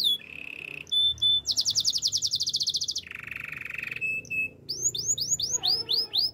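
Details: Male canary: a low buzzy roll, a pair of pure whistles, then a fast bright trill and a deeper rolling trill, closing with looping whistled notes repeated about three per second.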